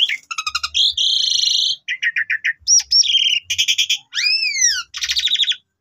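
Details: A lure recording of young Asian pied starlings for prompting other starlings to sing: fast stuttering chirps, buzzy harsh bands, a sliding whistle, scratchy rattles and a rising-then-falling arched whistle, with occasional soft low thuds.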